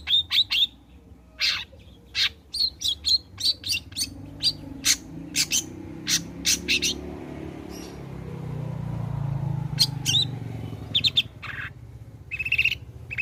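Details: Long-tailed shrike in energetic song, used as a lure to make other shrikes sing: a rapid series of short, harsh, scratchy notes and chirps in irregular bursts, with a low rumbling background hum midway.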